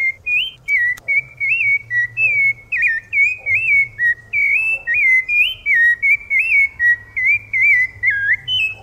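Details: Rufous-bellied thrush in strong song, a rapid flowing run of short fluting whistles that swoop up and down, about seventy-five notes a minute, with a soft low hum behind.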